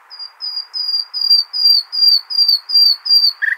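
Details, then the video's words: Hasaniya song of a nightingale, used as a tutor for goldfinch and hybrid chicks: a steady train of clear, slightly falling high whistles, about three per second, ending in a brief harsh note. "اجمل تغاريد العندليب ( الحسنية )"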